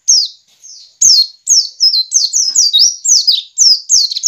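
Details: Ngiriwik call of a white-eye, used as a lure so caged birds sing wild and often: a near-continuous chain of high, sharp downslurred chirps, some rising at the end, packed several per second after a quieter opening note.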